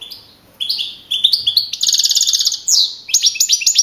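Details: Contest-winning young male European goldfinch from Navalcarnero, Madrid, 2012; after a quiet start, liquid twittering notes build into a rapid rattling trill, then a sweeping slur and quick tinkling phrases.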